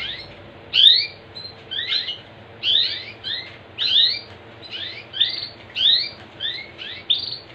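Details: Canary voice meant to encourage other canaries to sing. It consists of rhythmic clusters of shrill, falling chirp notes, often doubled, recurring steadily about once a second against a quiet background.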